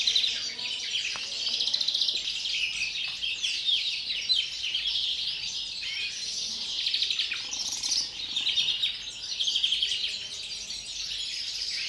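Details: Captive European greenfinch singing ahead of breeding: a long run of high chattering twitters and buzzy trills, swelling in loudness near two, eight and ten seconds.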